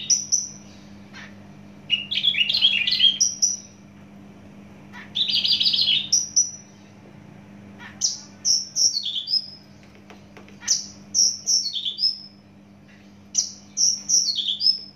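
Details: Varied, loud song of a Javan bush lark from Java: dense chattering bursts, then repeated phrases of high clear whistles slurring downward, each phrase spaced a few seconds apart, with a low steady hum.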